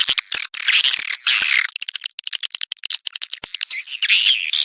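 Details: Swiftlet mating call, 'Birahi Lintas Senja' lure style, 2023: harsh high buzzy twittering, then a run of rapid separate clicks in the middle, ending in renewed squeaky chatter.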